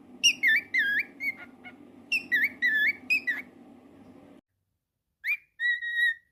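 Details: Indoor pet cockatiel: a run of whistled, up-and-down notes in quick succession, then a moment of silence followed by a few more clear, level whistles.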